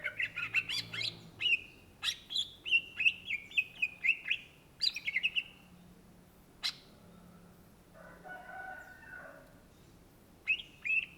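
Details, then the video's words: Greater green leafbird, locally cucak ijo, singing gacor: rapid bursts of sharp whistles and chips in quick clusters, a lone click, a soft lower warbled phrase, then renewed whistles. "SUARA BURUNG CUCAK IJO GACOR , TELER"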